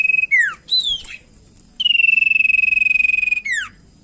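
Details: Common iora (cipow sirtu) in full, energetic song, played as a lure to make other birds sing: steep down-slurred whistles, a long trembling steady whistle, and a final sharp downward slur.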